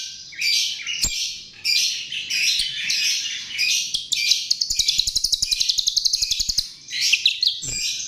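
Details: Chestnut-tailed starling used as a lure, giving continuous squeaky, buzzy high warbles that lead into a long evenly spaced rattle of about twenty rapid clicks, then more warbling.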